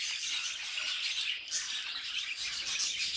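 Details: Short burst of budgerigar song: a loud, unbroken mass of high twitters and grating chirps from several birds.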